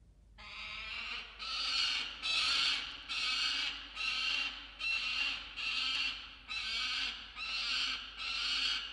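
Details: Peregrine falcon, a male, guarding his musk lorikeet prey in a nest box at dawn, 27 December 2022; a steady series of harsh, rasping screams, each under a second, repeated a bit over once per second.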